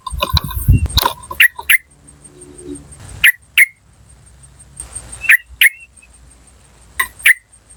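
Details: Wild yellow-vented bulbul, recorded for luring birds: a noisy jumble of notes at the start, then sharp "cuk" calls in pairs spaced a couple of seconds apart, over a faint steady high-pitched tone.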